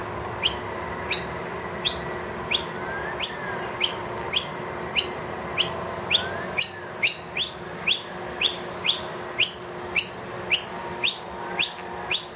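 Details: Loud food-demanding calls from a wild noisy miner with two young indoors, feeder empty: a rapid run of crisp rising chirps, close to two per second, speeding slightly toward the end.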